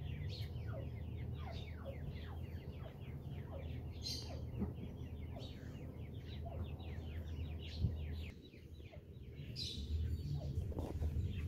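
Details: Grey francolin chicks with adult in Punjab give thin, high peeping notes, several overlapping at about four a second, over a steady low rumble of background noise.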